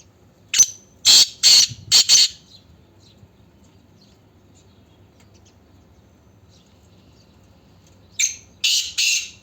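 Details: Black francolin (kala teetar) calling: a series of four sharp, hoarse, rasping notes, a long silence of about six seconds, then three more harsh, grating bursts in quick succession.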